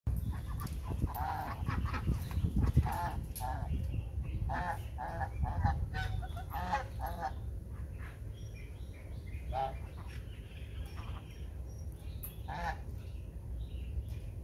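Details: Lion-head geese kept together with ducks honk in loud, nasal bursts, repeated roughly once a second over a low rumble.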